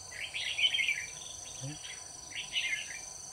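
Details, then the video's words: Red-whiskered bulbul used as a decoy at a trap on 21 October 2019, singing a soaring fighting-style song to draw in wild birds; two bright, warbled whistled bursts over constant shrill insect noise. "Bẫy chào mào Bộ dài đòn đá lân cao vút"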